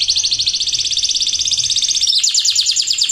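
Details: Canary in full, energetic song, recorded as a lure to prompt reluctant birds to sing and to tutor young birds: a rapid, high trill of repeated notes that shifts after two seconds to a slightly lower, pulsing roll.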